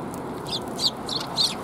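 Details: At a Tenmangu shrine on 9 December 2021, sparrows give four quick high chirps in little more than a second over soft background noise.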